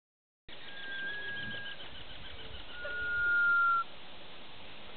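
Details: At a river in Brazil's Pantanal, a sunbittern calls to one of three sunbitterns while the other two display at the river's edge. It gives two long, thin, level whistles, the second louder and slightly falling, over a rushing water-like background.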